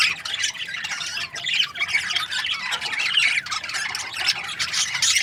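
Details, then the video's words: Caged breeding pairs of budgerigars chirping together: a dense, continuous wash of high twittering, squeaky chirps and warbles from many birds at once, with no pauses. "Amazing budgie chirping sound"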